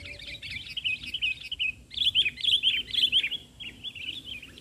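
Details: Sooty-headed bulbul in full song on the ground rather than a branch; fast, chattering warble of jumbled notes, a brief pause near two seconds, then a louder, denser stretch of bubbling phrases.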